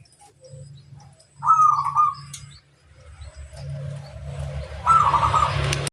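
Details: Local zebra dove singing to challenge rivals: two short rolling, trilled cooing phrases about a second long each, separated by a pause, over a steady low droning hum.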